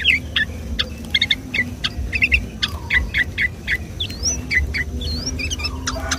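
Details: Sooty-headed bulbul singing busily on a Sunday morning, a lure for trapping or stimulating its own species: steady run of short clipped chirps, some doubled, with a few higher upswept whistles mixed in over a low background hum.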